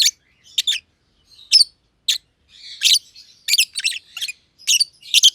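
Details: Masked lovebirds in an aviary, one green personata under a year old and one green pied personata, playing and chirping; isolated harsh chirps at first, building to closely packed squeaky bursts.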